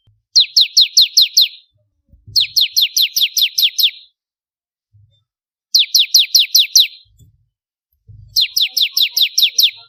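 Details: Bar-winged prinia recorded as contest-bird training material, repeating quick bursts of six or seven high, sharply descending chirps, each burst followed by a brief silence; occasional faint low bumps are heard.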